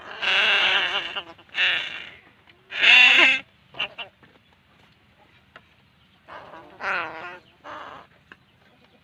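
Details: Young crows calling as they are fed, giving harsh, drawn-out nasal squalls up to a second long, then a gap and a softer run of rasping cries near the end.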